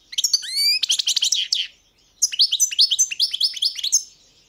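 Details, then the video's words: European goldfinch delivers a rising whistled slide and dense buzzy chatter, pauses briefly, then continues with a steady run of bright, repeated chirping notes. "Pesma štiglića"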